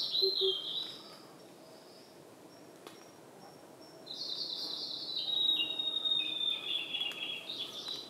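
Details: Blue-and-white flycatcher singing in Khingan State Nature Reserve, Amur Oblast, Russian Far East: a short whistle, quiet pause, then a longer sweet phrase of stepped high whistles gently falling in pitch; faint Oriental cuckoo hoots at the start.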